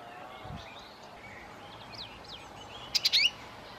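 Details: Male-territory song of a Common redstart guarding its nest in May–June 2018 while raising insect-fed young; faint thin warbled notes first, then a burst of three loud, sharp, high clicking notes with a quick descending trill.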